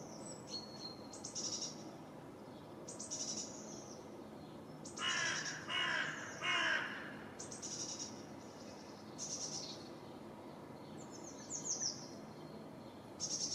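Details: Great tit singing on 6 April: high, thin notes repeated in short phrases throughout, while a crow caws loudly and harshly in the middle of the recording.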